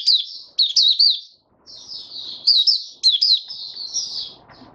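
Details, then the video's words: Male white-eye (Mata Puteh) warming up with an opening song, dated 08012022: clear, sharp, high chirps in quick clusters, then softer continuous twittering that fades at the close. "Mata Puteh Raja Stablizing his form buka sing"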